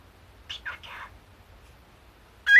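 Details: Pet cockatiel hatched in 2011, an older bird that talks in Kumamoto dialect copying its late owner's tone, chattering while up to mischief: three quick raspy speech-like syllables, a pause, then a loud bright whistled call at the end.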